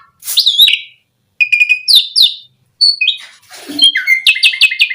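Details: Asian pied starling song for luring starlings into song: harsh scratchy phrases separated by gaps, then a noisy rasp and a closing series of four evenly repeated bright notes.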